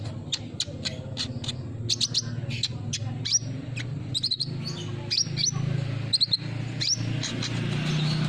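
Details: Sunbird lure song for prompting a bird that has stopped singing: a run of crisp high ticks and chirps, then brief slurred whistled notes, with a loud continuous low rumble underneath.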